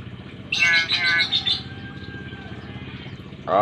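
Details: Young Nias hill myna, Nias island, Indonesia, chattering as it begins learning to talk: a burst of loud, buzzy, speech-like syllables lasting about a second, then low background hum and a short rising note.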